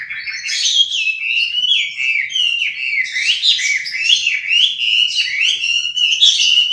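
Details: Continuous melodious hwamei song: flowing whistled phrases that rise and fall without a break, richly ornamented and steadily loud throughout.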